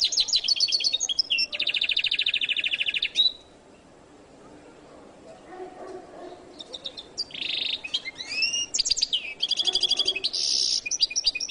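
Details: Jilguero latino goldfinch song: fast buzzy trills and a sustained rattling phrase, then a quiet gap of about four seconds before renewed bursts of sweeping whistles and dense chattering trills.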